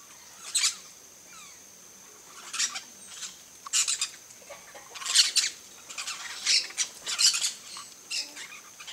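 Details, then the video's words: Scattered shrill screeches from yellow-chevroned parakeets in a coconut palm, single and paired bursts at irregular intervals, growing busier toward the end against a soft hiss. "PERIQUITO-DE ENCONTRO AMARELO (BROTOGERIS CHIRIRI), YELLOW-CHEVRONED PARAKEET, No coco da Bahia."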